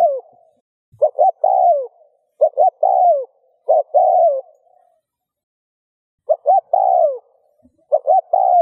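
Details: A spotted dove, known locally as cu gáy or cu đất, coos to stimulate other doves to coo. It gives low, hollow phrases of two short notes and a longer drawn-out note, repeated with pauses.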